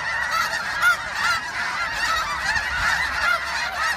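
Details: Spring migration of snow geese, Westham Island in Delta, British Columbia, March 24, 2015: an unbroken wall of honking from a large flock, with individual high yelps popping out about twice a second.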